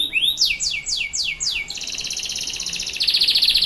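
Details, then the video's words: Caged canary from Pancoran, Jakarta, singing a luxurious 'cengkok mewah' phrase: one rising note, several long descending sweeps, then a very fast, even buzzing trill that grows louder. "Kenari gacor cengkok mewah & syahdu"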